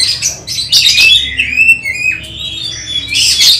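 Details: Magpie-robin in contest training delivering rich whistles and rasping bursts, with phrases gliding up and down and overlapping chatter from other birds.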